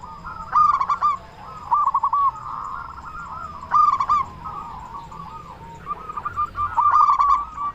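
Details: Steadily singing local zebra dove with a big voice, used to prompt other doves to sing. Three rolling phrases of rapid coos spaced about three seconds apart, with fainter doves cooing between.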